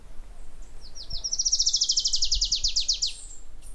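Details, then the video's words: Adelaide's warbler singing a rapid high-pitched trill that starts soft, swells in loudness and descends gradually, about twenty-five repeated notes over two seconds, with light background noise. "O canto da Mariquita Portoriquenha"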